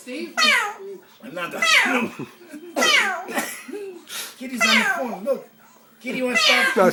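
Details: Female pet orange-winged amazon indoors, talking in five bright, speech-like bursts, voice sliding up and down in pitch with meow-like inflections, room echo.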